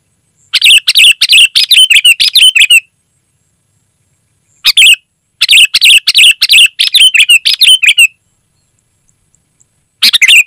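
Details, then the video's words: Vigorously singing sooty-headed bulbul, clear recording used to attract wild birds: two long bursts of fast, repeated bubbly notes, each burst lasting a few seconds, separated by silence. "Suara Burung Kutilang Gacor, Asli tanpa isian, Lantang dan Jernih Ampuh untuk Suara Panggilan"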